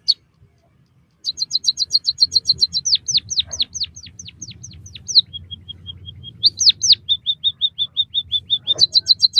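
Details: White-headed munia song meant for stimulating captive birds: quick high chirps, then falling whistles over a low background hum, thin even pips, two loud slurred notes and a fast run of short level notes.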